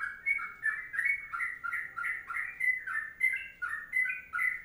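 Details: Long 'ropelan panjang' singing by a sooty-headed bulbul: fast, gurgling whistled notes tumbling one after another, with a soft low background hum.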